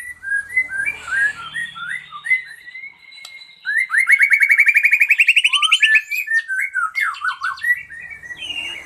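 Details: White-rumped shama of the fighter type sings varied whistled phrases. Short slurred notes open the song, then a fast, rising, buzzy trill runs about two seconds, followed by quick chirping flourishes.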